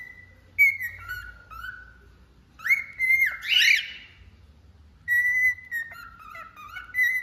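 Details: Whistling cockatiel gives level, pure whistles that drop to lower tones, then a loud rasping upward-sweeping squawk, followed by another run of steady whistled notes and gentle descending phrases.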